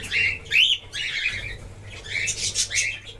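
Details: Cockatiels in a breeding colony give a run of harsh, screechy chirps and warbling squawks, several overlapping in quick bursts, with a faint low hum behind.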